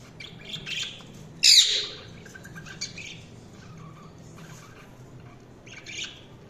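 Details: Budgerigar chirps: one loud, sharp, high squeak stands out, with softer scattered twittering notes before and after over a steady low hum.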